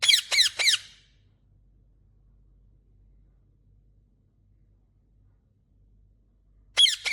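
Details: Green ringneck parrot talking: three quick, shrill, squeaky bursts with rich harmonics crowd the first second. Near silence follows, and another squeaky burst returns at the very end.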